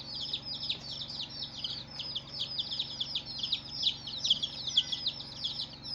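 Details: Many colored baby chicks chirping in a dense, continuous chorus of high, short downward-sweeping peeps overlapping steadily, with faint low hum underneath.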